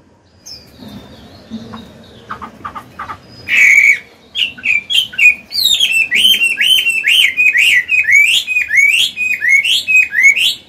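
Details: An old wild-caught Chinese hwamei sings loud, rich whistled phrases with rapidly repeated sliding notes, opening after a few soft clicks and chirps.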